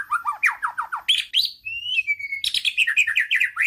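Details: White-rumped shama singing its wild forest-style song, the 'kéo thuốc lào' style used to excite other birds: fast bursts of varied whistled and chirping notes, then a long, smooth, level whistle, followed by rapid descending trills.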